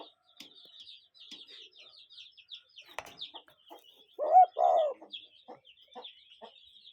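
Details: Cuckoo calling in nature. Two loud, hollow notes are given close together over a steady background of high chattering and ticking from other small creatures.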